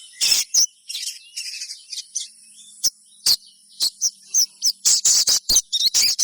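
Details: Sogon chattering song to prompt other sogons to sing: high twittering chirps and short trills, growing denser and louder toward the end, with a thin constant high tone behind.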